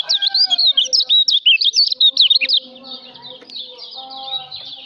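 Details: Lombok white-eye (kecial lombok) song for songbird training: a loud burst of quick, sharp, chirping notes about a dozen in two seconds, then softer continuous high chatter over faint lower whistled tones.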